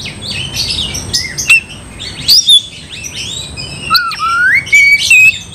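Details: Oriental magpie-robin in full song meant to provoke another into fighting: a jumble of scratchy high phrases, then loud clear whistles, one sliding upward, repeated in short bursts toward the end.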